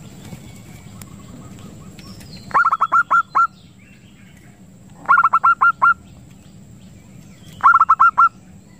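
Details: Zebra dove lure recording, used to attract zebra doves and to tutor birds and stimulate breeding: three short bursts of about six clipped, hooked cooing notes, roughly every two and a half seconds, over a low steady hum.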